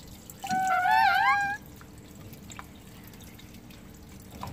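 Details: A pet lorikeet, described as angry and cranky, gives one drawn-out, wavering, nasal squawk lasting about a second, over faint dripping and ticking sounds in a small room.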